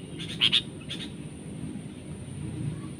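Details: Sooty-headed bulbul fighting a decoy bird during trapping, gripping like an eagle; two short, harsh, high double notes close together, then faint fainter echoes over low rumbling background noise.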